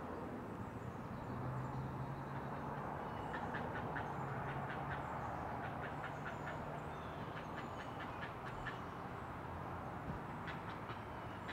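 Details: Great blue heron at a nest in a Chesapeake Bay colony, loblolly pines, Maryland, dawn on 20 June 2018; two bursts of fine, quick ticking notes separated by a pause, set against persistent low rumbling.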